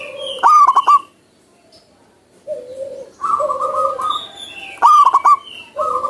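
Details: Zebra dove singing in the wild: two bursts of quick, stuttered cooing notes about four seconds apart, with steady tonal calls from other birds between and after them.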